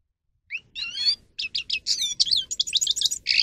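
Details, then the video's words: Song of a grey-crowned goldfinch, meant for training birds to sing: a couple of high chips lead into a fluid, warbling twitter of varied whistled and buzzy notes, continuous and fast-paced. "(Carduelis caniceps) Goldfinch song"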